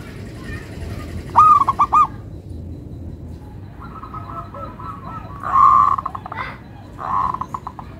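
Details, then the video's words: Melodious local zebra dove singing repeated phrases of rapid, ringing cooed notes, some drawn into a long stuttering trill, others bursting into a loud rolling coo, with steady low background noise. "Perkutut Lokal irama merdu, suaranya bikin adem ayem"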